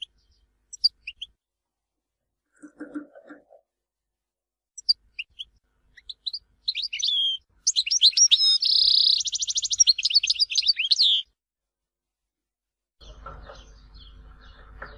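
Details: European goldfinch singing in Tizi Ouzou, Algeria: scattered high tinkling notes, then a fast, buzzy twittering run with a dense trill, ending in faint background noise.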